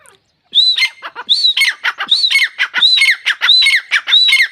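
A grey francolin gives loud, shrill, ringing phrases in quick succession, each a high whistle dropping to a harsher note, repeated about every second.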